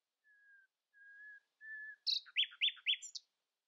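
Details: Common nightingale at dawn, outsinging its companions: three long, pure, level whistles with pauses between, swelling into loud, sharp, repeated down-slurred notes and a final high note.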